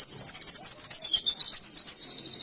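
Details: Indonesian white-eye singing in ngalas style, a fast trilled chain of high sweet notes pulsing about ten times a second, briefly pausing, then continuing slightly lower.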